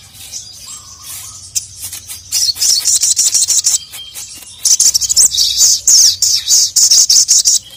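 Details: Sogok ontong (sogon), a female calling a male and the male answering in anger: two long runs of rapid, high, buzzy chirping after a quieter opening, with a low hum throughout.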